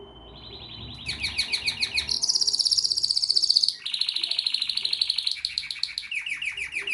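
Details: Canary song building from a quiet start into loud, dense high trills, a bright sustained rolling passage, then shifting to lower rapid warbled notes.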